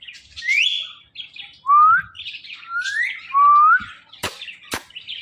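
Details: A pet talking rose-ringed parakeet (ringneck, Psittacula krameri) gives a run of clear, rising whistled slurs, some short and some drawn out, followed by a few sharp clicks or taps.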